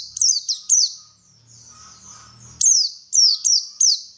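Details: Bait recording of white-eyes to prompt singing: bright, high-pitched descending chips, a few clustered at the start, then a soft twittery gap, then a quick series of sharp falling notes.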